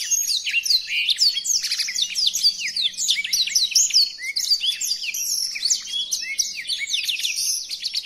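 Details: Long, hurried blackthroat song used as tutoring audio: thick layers of high chirps, fast slurred notes and rattling runs pour out continuously at an even, strong volume.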